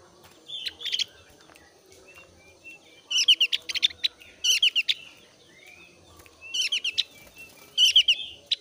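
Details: Thin-browed Javan grey-throated white-eye in breeding condition, song used to lure other white-eyes into singing: four loud bursts of fast, high, chattering notes, each lasting about a second, with soft notes between.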